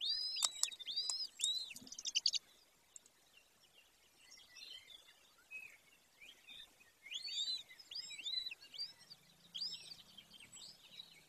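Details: Golden eagle pair's nest in Bucovina, Romania, Carpathian Mountains, 18 May 2024, 14:19: a quick burst of high arched whistled calls, then softer scattered whistles and a faint low hum.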